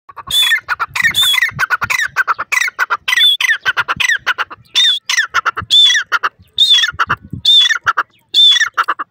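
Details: Francolin calling in the jungle; loud, harsh, grating phrases repeated about once a second, each a rising squawking burst with a shrill whistled note on top, delivered in steady series.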